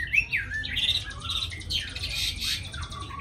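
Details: Tame caged Chinese hwamei singing indoors, praised as a fine, eager singer: a quick run of varied whistled and chattering phrases, slurred notes rising and falling, moderately loud, with a faint low hum behind.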